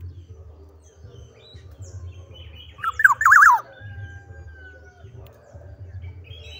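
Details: Actively singing black-naped oriole giving one quick warbled whistled phrase of rapid up-and-down notes ending in a falling slur, then a long faint level whistle, above a continuous low-pitched hum.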